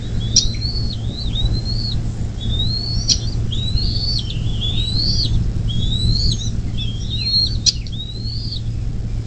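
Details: At a nest beside the Little Miami River in southwest Ohio, USA, on a May 2024 morning, a bald eagle gives a series of high, squeaky whistled chirps in uneven bursts, with faint clicks and a constant low electrical hum.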